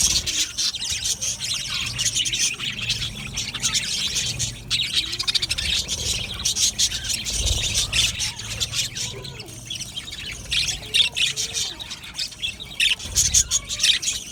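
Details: Budgerigars in an aviary colony chattering continuously for a long stretch, a dense texture of sharp high chirps, squeaks and warbles with occasional louder bursts and low knocks.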